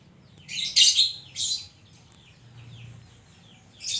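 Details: A lively singing Oriental magpie-robin gives loud, scratchy high bursts, then a run of softer, thin, down-slurred whistles before another loud phrase starts.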